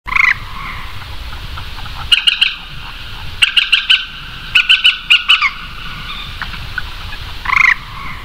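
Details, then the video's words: Common moorhen (Gallinula chloropus) call: short, sharp, croaking kek notes in quick clusters of three or four, with a single harsher note at the start and end. "Moorhen Bird Call"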